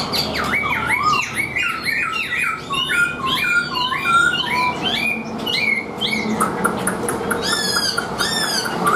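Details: Tame caged Chinese hwamei in full song: repeated looping whistled phrases that swoop down and up, followed by sharp, rapid high chattering bursts, with a low background hum.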